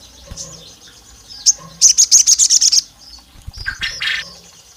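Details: Female olive-backed tailorbird calling the male, provoking rivals: a few scattered high chirps, then a quick run of about nine sharp, evenly spaced high notes, followed by softer, lower broken chirps.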